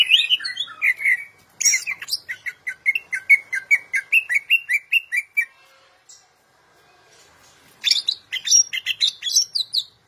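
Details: Champion greater green leafbird, a national-level singer used as a tutoring model, pours out rapid sweet chirps and fluty slurred whistles, falls silent for about two seconds, then resumes with a dense, scratchy, higher flurry.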